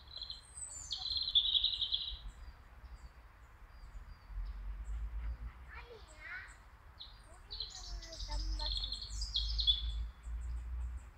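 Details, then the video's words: European robin singing in Kharkiv, Ukraine, at a city street crossroads: high thin drawn-out warbled phrases and trills, sometimes sliding, with pauses between, over a steady low rumble of city traffic. "One more passerine bird's song from Kharkiv, Erithacus rubecula, Зарянка"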